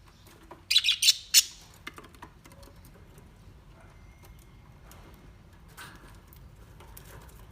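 A budgerigar gives a quick burst of harsh, high chirps, then falls quiet.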